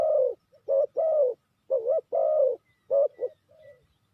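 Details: Spotted dove used to lure birds into traps: a loud series of hoarse, throaty coos, some long and level, some with a dip in the middle, then a short fading coo. There is no other noise.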